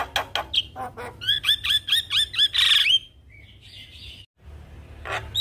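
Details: Javan myna in 'gacor' song with 'isian' filler: rapid harsh notes leading into an even series of repeated whistles, about three per second, then a quiet stretch with faint distant notes.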